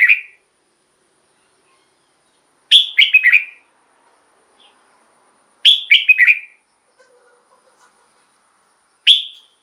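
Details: Red-whiskered bulbul song used to excite caged birds: short phrases of several rich whistled notes, given about every three seconds with silence between, the last phrase cut short.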